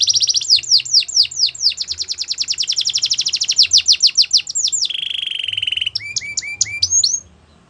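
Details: Song of a Belgian canary: rapid falling chips run into a loud rolling trill, shift to a level, sustained whistled note, then end with several separated, sharply dropping notes followed by silence.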